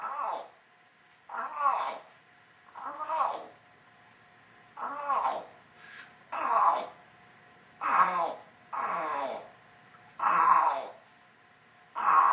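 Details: Female African grey parrot in her cage, alone and chattering to herself, practising words: a series of short voice-like phrases with sweeping pitch, repeated roughly every second or so, indoors.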